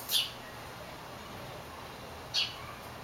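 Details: A golden pheasant gives two brief, sharp high notes about two seconds apart over a faint steady hiss.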